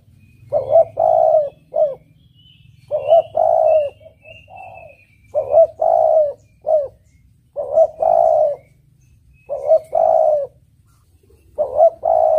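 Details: Spotted dove singing a melodious lure song for catching birds. Low, rolling three-part coos come back every two seconds or so: a brief opening note, a drawn-out trill and a short end note. Faint high chirps sound in between.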